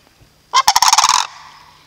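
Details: Rolling, trumpeting rattle from sandhill cranes at Reifel Bird Sanctuary, a burst of roughly a dozen fast pulses in under a second, starting with a strong rough note and fading out.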